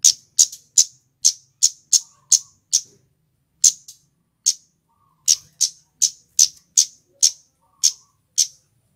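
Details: Male scarlet-headed flowerpecker song for luring birds into traps: runs of shrill, clipped 'cit' ticks about two to three a second, broken by a brief pause, then quickening again.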